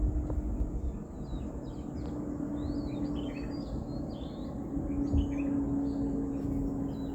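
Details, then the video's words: Morning birdsong with several birds giving rapid, high twittering chirps in dense bursts, louder in the first half and again near five seconds, over a steady low hum and background rumble. "Bird Chirping sound is soothing"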